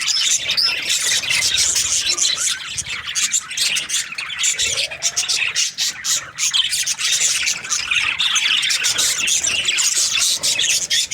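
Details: Budgerigars in breeding season calling as a flock, a dense chorus of chirps, harsh squawks and warbled phrases running without pause.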